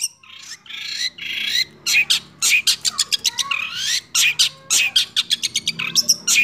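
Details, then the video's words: Six-month-old long-tailed shrike in roll speed and nembak singing: harsh, scratchy squawks and rising slurred whistles give way to a hurried, stuttering run of loud high notes. "CENDET Usia 6 Bulan Berkualitas Roll Speed + Nembak"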